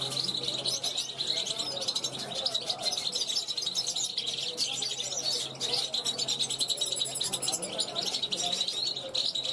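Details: A 2021-hatched European goldfinch rehearsing on a balcony, calling toward wild goldfinches flying past; a long, busy warble of sharp tinkling notes, buzzy rattles and quick trills that never stops, with a low hum in the background.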